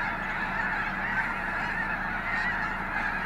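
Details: A dense chorus of migrating snow geese at Gray Lodge Wildlife Area in 2022: countless overlapping nasal honks and yelps blending into a steady, roaring din with no gaps.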